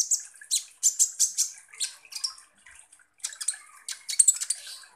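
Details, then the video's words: Sunbird, locally called kolibri ninja, singing actively; recording used as a lure to provoke other birds. High, rapid chirps and twitters in quick bursts, a brief pause near three seconds, then another dense run of sharp notes. "PANCINGAN kolibri ninja GACOR"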